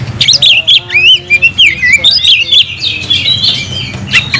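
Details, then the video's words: Oriental magpie-robin, or kacer, in song meant to summon an opponent for a fight: clear slurred whistles and looping notes mixed with sharp chirps, then a thinner sustained trill. "kacer gacor‼️kicau burung Kacer gacor memanggil lawan tarung"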